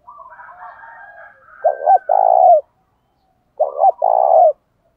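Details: Spotted dove giving its fight-provoking coo to stimulate wild doves: a soft wavering warble leads into two strong phrases, each a clipped double note followed by a sustained throaty coo, about two seconds apart.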